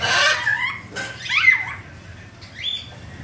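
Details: African grey parrot talking, producing speech-like syllables and gliding whistled tones in three separate bursts, some sweeping up and down, over faint low background hum.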